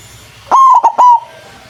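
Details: Loud-voiced white zebra dove calling as a trapping lure: a single strong phrase of three clipped cooing notes, the middle one briefly broken, over a quiet background.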